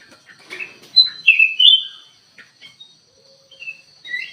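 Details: Kutilang emas bulbul in an aviary, singing actively and used as a lure bird: brief whistled notes and a bright slurred phrase near the one-second mark, then quieter scattered chirps.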